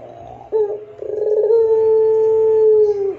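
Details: Barbary dove, Indonesian pelung variety, with the long clear song used as a training master for other doves: a few short husky notes, then a smooth sustained low coo held nearly two seconds.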